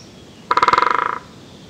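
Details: Great spotted woodpecker in Europe, a parent seen feeding newly fledged young, recorded with a shotgun microphone: one resonant drum roll of about fifteen rapid strikes over under a second, fading and slightly slowing toward the end, in quiet surroundings.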